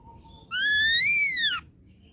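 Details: After a faint low note, a young ashy drongo taken from the wild gives one clear, ringing whistle that rises slowly, arches, and falls away quickly.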